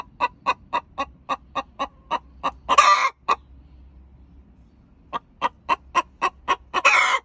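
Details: Olive Egger hen singing the egg song right after laying an egg: steady clucks about four per second, broken by a loud harsh squawk, a short silence, then a fresh run of clucks ending in another squawk.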